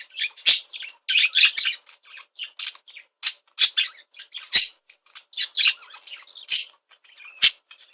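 A budgerigar chatters excitedly in rapid, scratchy chirps and squawks, with hardly a pause between notes.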